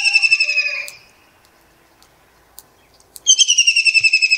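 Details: Perched kingfisher calling on an early morning in Pakistan: a strong rapid run of whistled pulses falling gently in pitch, a short lower note, a quiet gap with faint clicks, then another loud pulsed whistled series.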